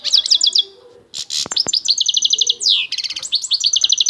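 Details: Lively goldfinch song: quick twittering notes give way to sharp clicks and long, rapidly pulsed buzzy trills, delivered loudly and almost without a break.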